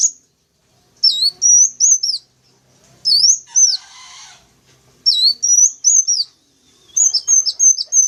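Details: Lure calls of sunbirds played to draw in wild birds: groups of high, sharp whistled notes rising and falling, with a short burst of wing flutter in the middle and a fast run of clipped notes near the end.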